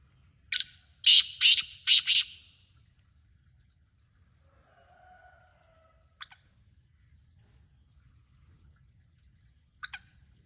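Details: Black francolin calling in Sindh, Pakistan: a quick burst of four harsh, grating, broadband notes in about two seconds, then a quiet pause with a few faint clicks and a soft low murmur.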